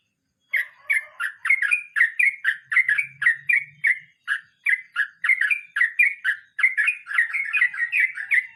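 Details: Long rolling 'ngeroll mbonang' song from a sooty-headed bulbul, a steady, rapid series of fluty, dipping notes repeated without break for about eight seconds, opening with a few lower warbles.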